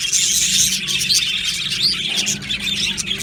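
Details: Australian budgerigars in an aviary colony, many birds chirping and chattering at once in a dense, continuous high-pitched wash of overlapping tweets, with a steady low hum beneath.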